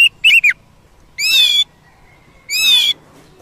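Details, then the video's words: Wild Oriental magpie-robin singing, used to provoke a kept bird: loud rich whistled phrases, a quick burst of notes then two longer harmonic whistles about a second apart, separated by a faint thin steady tone. "Pancingan kacer ampuh langsung Emosi - kacer di alam liar"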